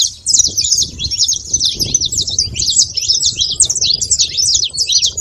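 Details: Wild saffron finch, free in nature, delivering a long unbroken run of sharp, high chirps and slurred twitters, dense and energetic throughout, with soft low background noise beneath.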